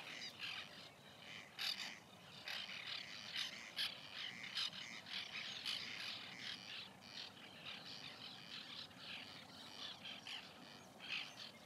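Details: White-winged terns at a nesting colony in 2021, many birds giving harsh, rasping calls that overlap in a dense, steady chorus, with louder bursts standing out every second or so.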